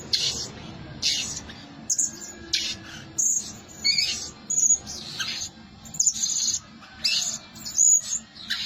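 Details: Blue-crowned hanging parrot used as a lure bird, said to call diligently day and night: bursts of thin, shrill, very high chirps come roughly every second, with short gaps and a faint low hum underneath.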